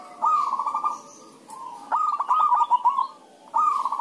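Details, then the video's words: Zebra doves calling back and forth to draw other doves into singing: bursts of fast, bubbly, rolling coos pitched low-mid, separated by short pauses, with a second rolling phrase answering the first. "pancingan suara perkutut rame"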